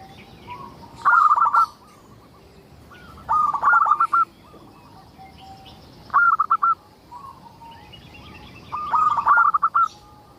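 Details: Zebra dove of local stock singing steadily, a recording meant to coax other zebra doves into song: four soft, trilled coo phrases spaced about two and a half seconds apart, faint bird chatter behind.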